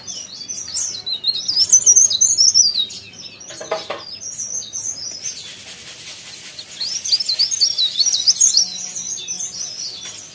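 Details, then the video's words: Leaf warbler singing actively: two bursts of high, thin, rapid twittering with quick rising and falling squeaky notes, the first phrase lasting about two seconds and the second about two and a half seconds, separated by a quieter gap with faint clicks. "CIKRAK DAUN | PARE PARE | BLERENG GACOR"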